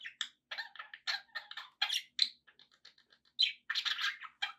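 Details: Captive pet budgies chatter in quick bursts of raspy chirps and squeaky warbled notes, with short gaps and a few louder squawky accents near the end.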